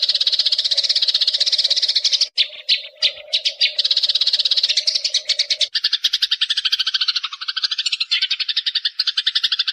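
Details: Young-bird tutoring track of Eurasian tree sparrow: rapid high chatter over a low steady hum, a short gap of scattered single chirps near two seconds, then from six seconds a lower, two-layered series of even, spaced chirps.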